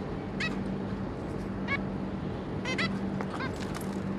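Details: Zebra finch pair with their three juveniles, recorded 26 May 2022: short nasal, honking beeps with stacked overtones, given in scattered pairs and bursts over a steady low electrical hum.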